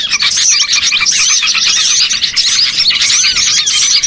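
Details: Small birds chattering in a lure used to gather birds for catching, heard as a thick stream of high chirps, sharp upward whistles and twitters from many birds at once.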